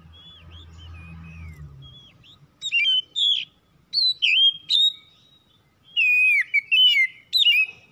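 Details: Home-kept oriental magpie-robin (kacer) singing, used as a lure to set other birds singing: after two seconds of low rumble, bursts of clear whistled phrases, rising and falling, with sharp high notes added toward the end.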